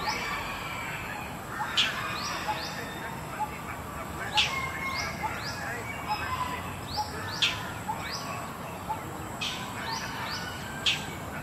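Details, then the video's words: Indochinese roller calling noisily in Suan Rot Fai park, Bangkok, Thailand, flying between prominent perches: repeated sharp rasping notes with clusters of quick descending chirps, roughly every two to three seconds, over park background noise. "Indochinese Roller Bird Call"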